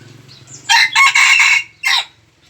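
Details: Red junglefowl kept as a decoy, recorded 3 March 2020, gives a loud crow of four harsh bursts: three close together, then a short final note after a pause. Soft low hum runs underneath.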